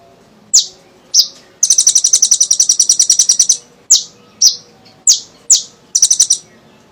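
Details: Lively kolibri ninja sunbird song used to lure other birds into singing. Two piercing downslurred chips lead into a long rapid trill of some twenty metallic notes, followed by more chips and a shorter rattle.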